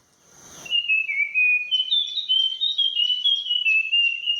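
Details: Puff-throated Babbler (Pellorneum ruficeps) morning song in a garden in western Thailand, heard there every morning: a loud, clear whistled run of sweet, high notes, after a brief rustle at the start.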